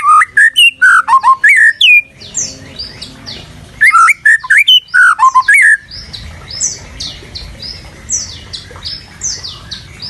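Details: White-rumped shama song for masteran bird tutoring: rapid loud whistled phrases with rising and falling slurs for about six seconds, then quieter high scattered notes continue in the background.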